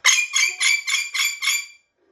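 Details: A pet orange-winged amazon parrot, watching YouTube, gives a quick run of six harsh, raspy squawks, about three per second, in under two seconds.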